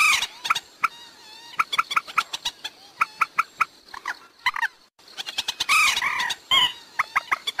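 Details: Waterhen sound used as a lure for trapping birds at night: sharp clicking notes and short nasal, harmonic calls in irregular bursts, with a brief pause before louder, denser calling.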